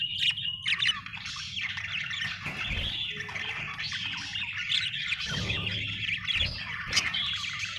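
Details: Budgerigar in a happy mood, chirping continuously: dense scratchy warbling and squeaky chatter, possibly several birds overlapping, over a low background hum.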